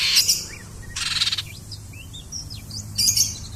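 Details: Oriental magpie-robin giving konslet song: scattered clear whistled slurs, rising and falling, between three loud bursts of broadband rattling noise, with a faint low hum throughout.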